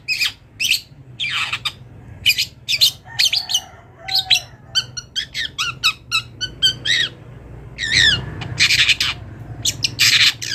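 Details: Long-tailed shrike, a wild bird, delivering a varied mimicry-rich song for training other songbirds; fast scratchy chatter, clear upslurred whistles and harsh bursts, steady background hiss throughout.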